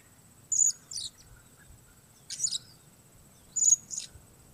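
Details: Blue-crowned hanging parrot of the Sook strain calling solo in bad weather, used for bird luring: three bursts of very high, thin, shrill squeaky notes, each a sharp tick followed by a softer echo-like note, spaced about 1.5 seconds apart.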